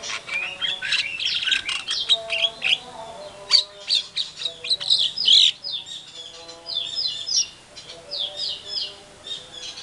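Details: White-rumped shama (murai batu) lure song meant to trigger an aggressive reply from other shamas; continuous tumbling phrases of high whistles and chattering notes, brief emphatic peaks around the middle, soft background hum.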